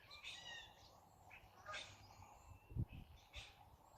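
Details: A raven on a silo gives odd, harsh, nasal calls in short bursts about every second and a half, over a steady low wind rumble with a dull thump.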